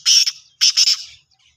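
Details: Black francolin giving two loud, harsh, grating bursts, each a rapid run of raspy notes, separated by a brief pause and then silence.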